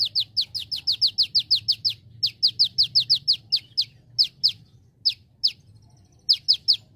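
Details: Lively olive-backed sunbird (konin) training song: long fast runs of sharp high downslurred notes, several per second, slowing to spaced pairs and singles, then a final short burst.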